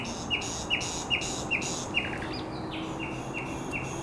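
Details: Common nightingale on a headland by the Żerań Canal, 1 May 2021: a series of clear, slightly falling whistled notes repeated about every 0.4 seconds, a brief varied flourish, then more repeated whistles, with background hum.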